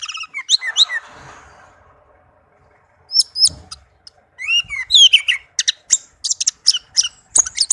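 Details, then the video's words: Tame caged orange-headed thrush singing a melodious song: varied slurred whistles swooping between high and mid pitch, a pause, then a quick run of sharp high notes and chirps. "Anis merah kicau merdu"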